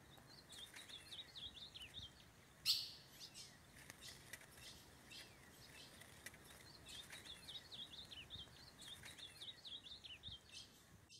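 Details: Wild ultramarine grosbeak (azulão) in woodland during mating with a female; phrases of short slurred whistles repeated several times, broken by a sharp click, over steady forest background noise.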